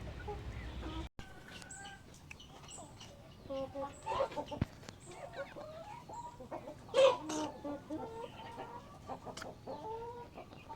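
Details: Hens and roosters in a coop, curious about a nearby camera, make repeated stacked clucking notes and drawn-out harmonic calls, some in short series, with occasional knocks and clatter in the background.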